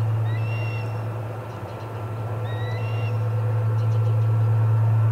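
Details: Charlo osprey nest, 25 August 2020, first delivery of the day: two pairs of thin whistles, a short lower note followed by a higher one, separated by a quiet gap, over a constant low hum.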